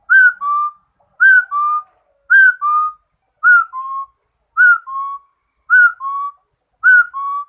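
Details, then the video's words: Singing rufous-throated partridge gives a steady series of paired whistles, each a brighter first note slurring down into a lower second note, repeated roughly every second and clean of other sounds. "Suab Yij Quaj | Rufous - throated Partridge | Singing Yij Coj Kum Quajsuab"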